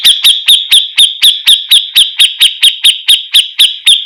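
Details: Grey-cheeked bulbul of the Javan form, used to train songbirds: clean, regularly repeated ringing notes with a high bright overtone, about four per second, with no other sounds.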